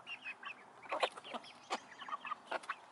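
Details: Several chickens in a coop give a jumble of short clucks and higher squawking notes, some birds calling over one another in quick bursts.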